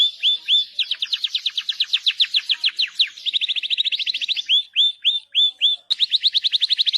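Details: Canary in full training song with rolling and cuit-cuit phrases. Rapid high trills of sharp rising notes, first slower, then a fast tight roll, then spaced whistles, and finally another quick trill after a brief click.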